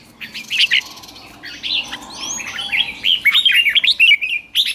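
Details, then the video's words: Red-whiskered bulbul in a cage being trained to sing at morning, quieter start then a rising run of quick chirping and warbled whistles, with high background bird twittering throughout. "Luyện chào mào hót sáng, QUÁ HAY - CHÉ KÍCH BỔI CĂNG ĐÉT, luyện chào mào hót căng lửa"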